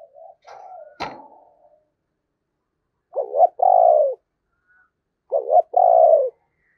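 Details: Decoy spotted dove with a 'thổ' voice. Soft low murmuring and a sharp click open the clip, then two clear coo phrases, each a doubled note then a long husky falling note, about two seconds apart.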